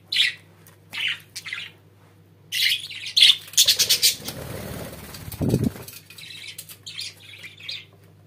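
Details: Pet budgerigars giving short, scattered chirps and squeaky notes separated by quiet gaps, with a stretch of rustling and a low thump midway.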